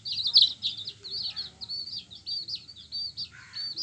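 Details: Several yellow baby chickens peeping together in a dense, continuous chatter of high, wavering chirps, with a lower, slurred note near the end.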